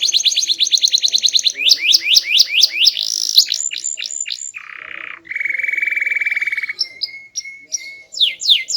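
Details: Small-bodied canary with a loud, melodious song: a fast high trill, then sweeping slurs, a low buzzy note, a long steady low tone, sharp short whistles, and closing downward sweeps.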